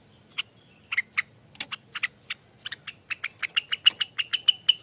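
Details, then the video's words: Rengganis singing in ropelan style, as lure and master song: separate high notes at first, quickening into a dense, regular run of ringing notes near the end over a faint low background. "ROPELAN ribut loss burung Rengganis"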